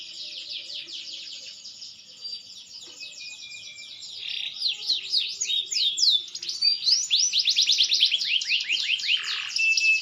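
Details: Green canary, a bird reaching maturity, singing softly at first in quiet rapid trills, then swelling into loud fast rolling runs of rising and falling whistled notes with a lower dip near the end.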